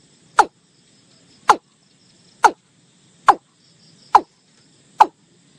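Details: Watercock (kora) call from rural Bengal: single hollow, downward-sliding notes spaced roughly one second apart, six in a row, slower and more measured, with near silence between them.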